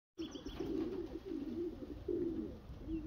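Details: Racing homer pigeons cooing: a run of low, throaty, rolling coos repeated back to back over steady background noise, with a few faint high chirps early on.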